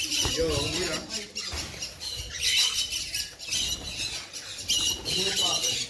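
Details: Sun conure giving harsh, high screeching squawks in short bursts roughly every second, with a person's voice talking low underneath.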